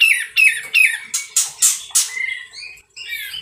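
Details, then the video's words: Sooty-headed bulbul giving loud, harsh sounds while in full song: a series of scratchy, slurred notes, then several rough broadband bursts, followed by softer whistled phrases. "Suara nyaring dan kasar kapas tembak gacor"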